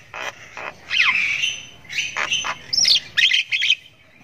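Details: Javan myna nestling in long 'ngriwik' chirping as it learns to call: loud scratchy squawks with buzzy, wavering notes, then a quick series of shrill rasping bursts near the end.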